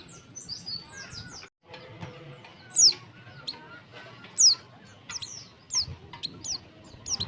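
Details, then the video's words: Calls of a female warbling white-eye, used to lure males into song. A string of sharp, high, downward-slurred notes comes at irregular intervals, over a busy bed of softer chirps and low background rumble. "suara pleci betina untuk memancing bunyi jantan."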